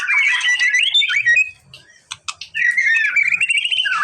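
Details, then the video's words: Song of a White-rumped shama meant to provoke a response from a reluctant bird: two loud bursts of slurred whistles and rattling notes separated by a quiet pause with a few sharp clicks. "MURAI BATU MALES BUNYI!!! CUMA BUTUH 5 DETIK LANGSUNG RESPON!!!"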